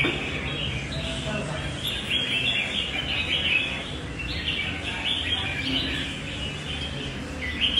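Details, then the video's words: Red-whiskered bulbul with a loud, long song, a bird said to be quick to flare and a good fighter. Chattering, warbled notes run almost without pause at a high pitch, with steady background hiss beneath. "Cb nhạy xoè, to dài đấu đẹp nết cánh bướm"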